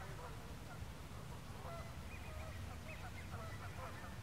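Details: Canada geese on the lake at El Dorado Park in Long Beach, California: many overlapping short honks and clucking calls in a busy run, set against a constant low background hum.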